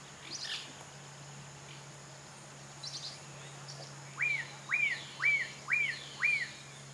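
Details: Black-fronted nunbird, wild and free in nature, giving five clear arched whistled notes, each rising then dropping, spaced about two per second, after a few faint high chirps; a steady low hum runs underneath.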